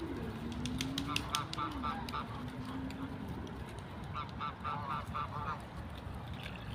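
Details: Ducks in nature giving two bursts of rapid, nasal quacks, each a quick run of short notes, over steady outdoor noise and a low, wavering droning tone.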